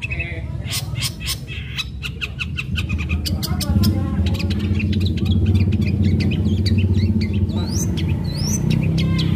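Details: Lure song of a long-tailed shrike in sharp fighting style, meant to make other shrikes sing: dense rapid series of harsh, rasping notes with a few rising whistles, over loud low-pitched background hum and traffic-like noise.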